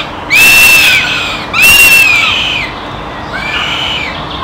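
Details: Northern goshawk nestling begging in the evening: two loud, drawn-out, high whistled screams, each about a second long and slightly arched in pitch, followed by a fainter, shorter third cry over quiet background hiss.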